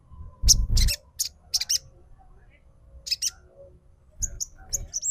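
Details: Snowy-browed flycatcher lure sound, trotol style, used to stir a bird into singing: brief thin high notes in small clusters between pauses, with dull thudding knocks.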